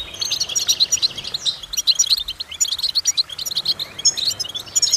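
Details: Goldfinch song offered as a training exercise to stimulate other goldfinches, a fast run of high tinkling notes and clipped chirps in rapid, uneven phrases with brief pauses between bursts.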